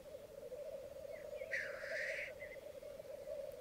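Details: Lekking black grouse on a Mykland bog, Norway, May 2022 morning, twelve cocks and two hens present; steady low bubbling chorus with a single harsh rushing hiss in the middle and faint short notes around it.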